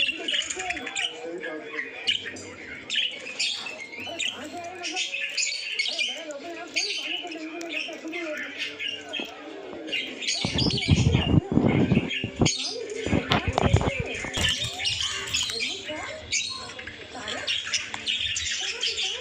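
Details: Newly hatched budgerigar chicks, all out of their eggs, give a dense stream of raspy, squeaky chirps, with some handling bumps partway through.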